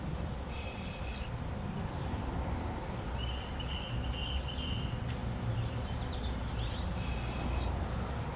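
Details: Common swifts calling as 'bangers' at observation nest-box entrances in a house in Beek Ubbergen on 8 June 2014: a sharp, high, buzzy scream, then a softer lower trilling call, faint chirps, and a second shrill scream about six seconds after the first.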